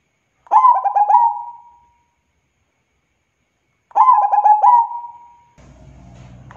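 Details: Local zebra dove, or perkutut, singing two cooing phrases about three and a half seconds apart, each stuttering notes ending in a long level tone; a low rumbling noise begins near the end.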